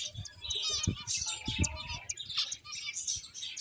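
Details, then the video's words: A group of playing finches produces busy, high twittering chirps, with a few lower tonal notes and intermittent low knocks and fluttering underneath. "Cute Birds Chirping Sounds | Beautiful Finches Playing"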